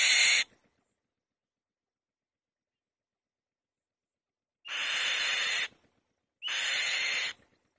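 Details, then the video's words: A nesting white-tailed kite crying: the tail of one harsh scream, a long silence, then two raspy, hissing screams of about one second each, separated by a short pause. "Bird Crying On The Nest | White-Tailed Kite"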